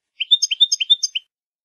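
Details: Short European goldfinch phrase in the Malagueño singing style, meant for teaching young goldfinches: about eight clear, high chirps in a quick, even row, each bright and slightly liquid, ending abruptly.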